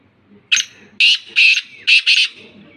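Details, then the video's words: Black francolin of the Sindhi type, let out of its cage, gives a brief sharp note followed by four rasping, strident bursts in quick succession, the final pair nearly joined; faint low rumble behind. "Kala teetar Pinjre Se Bahar.Sindhi Kala Teetar ki Awaz .black Francolin Voice .Teetar ki Awaz."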